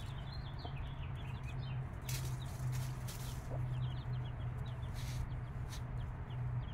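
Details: Mother hen with five-day-old chicks; thin, high downward peeps come in loose bursts, with only a couple of soft low clucks, all partly masked by a loud steady low-pitched hum and occasional rustling.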